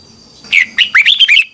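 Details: A Red-whiskered bulbul gives its 2021 morning training song, a lure-bird tutor recording in the twisting double-voice style. After a brief quiet, one rapid phrase of five or six looping, liquid whistled notes follows.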